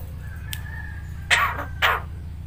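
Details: Talking Javan myna producing two hoarse, speech-like bursts after a faint thin whistle, over a constant low hum.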